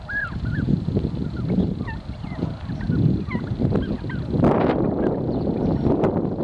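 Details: Turkeys squabbling over territory utter curling, squeaky mid-pitched yelps in an irregular series, then a loud broadband burst of scuffling noise takes over in the final seconds.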